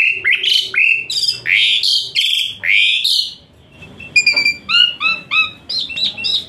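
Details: Asian pied starling song with rich varied fill and hot fast phrases, used as therapy for a lazy-singing starling: slurred whistled notes rising and falling, then a run of repeated bright upslurred chirps after a brief pause.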